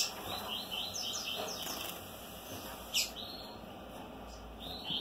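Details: Double-collared seedeater singing during mating: rapid series of high chirps and slurred sweeps, then a sharp click near the middle, more chirped phrases after, with a constant high-pitched hum in the background.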